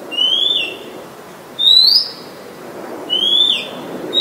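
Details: Oriental magpie-robin song from Ubon Ratchathani, Thailand, recorded 17 July 2022 on a Nikon P1000; a very common resident. Three loud whistled phrases spaced about 1.5 seconds apart, alternating a falling-ended note and a rising slurred note.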